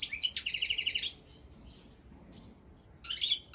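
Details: Competition song of a Balkan goldfinch (Carduelis carduelis balcanica): a fast, even trill of bright repeated notes, then a pause and another twittering, buzzy phrase.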